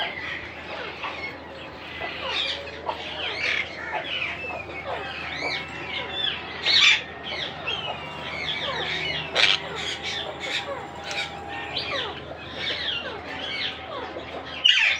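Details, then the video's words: Monk parakeet chicks begging during feeding: dense, overlapping scratchy chirps and squawks throughout, with several louder harsh bursts, over a low steady hum. "Monk Quaker parrots babies growth feeding"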